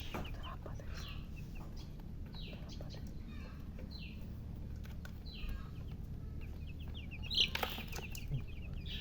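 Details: Baby chickens thirsty for water give many high downslurred peeps in loose runs, with a sharp click and a low hum throughout.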